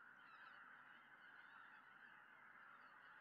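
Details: Greater white-fronted geese returning together in the evening to a lake in Tohoku, Japan, in early December, calling in a dense, unbroken chorus of high, yelping honks that overlap without pause.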